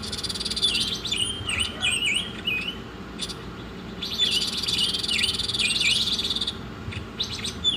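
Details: Oriental magpie-robin masteran song alternating swooping whistled phrases with clicks and a long middle stretch of buzzy, rattling trill.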